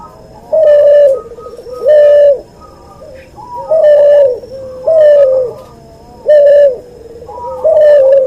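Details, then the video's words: Repeated rich coos from a crossbreed cuhu dove, albino white puter crossed with puter pelung. Bold level notes come about every 1.3 seconds, each with a quieter wavering tail and faint higher coos between phrases. "MASTERAN BURUNG CUHU HASIL SILANGAN PUTER ALBINO PUTIH VS PUTER PELUNG"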